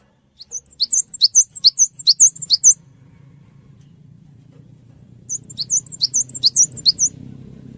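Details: Cinereous tit song as a lure to get other birds to answer: two bursts of high, ringing double notes repeated rapidly. A low background rumble grows during the second half.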